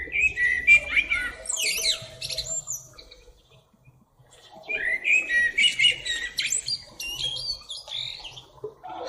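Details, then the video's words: Blackbird sings two phrases, each a warbled, fluty opening that breaks into high, squeaky twittering, with a short pause between them. "Black bird singing"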